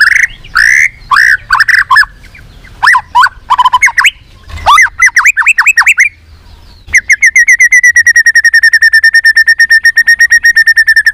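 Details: White-rumped shama song used to spur shamas into singing: loud slurred whistles and quick warbled notes, then a long rapid rattle of identical notes, many per second.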